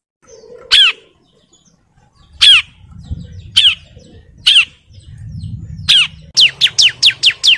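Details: Ciblek (bar-winged prinia) challenging a rival: spaced single sharp falling notes with pauses and soft rustling between, then a sudden fast burst of five quick descending chips at the end.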